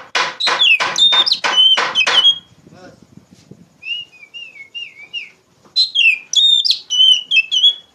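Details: Kacer, the Oriental magpie-robin, in loud ngeplong song used to tutor raw poci birds: sharp broadband knocks with fast warbling, then soft wavering whistles and another bright varied burst.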